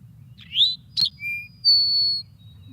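Eastern Towhee singing its 'drink-your-tea' song: a sharp rising lead note, a lower short note, then a long, high buzzy trill. Quiet background hum.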